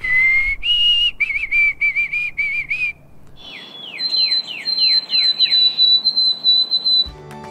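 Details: White-throated Sparrow singing in the morning in a North American backyard during migration: clear, pure whistles, one long low note, then a higher one, wavering repeated notes, then a quick series of downslurred whistles, 'oh sweet Canada, Canada'.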